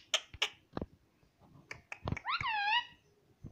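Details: A pet green ringneck parrot, kept at home indoors, gives a loud rising and falling squawk-like call lasting about half a second, preceded by scattered clicks and taps in a small room.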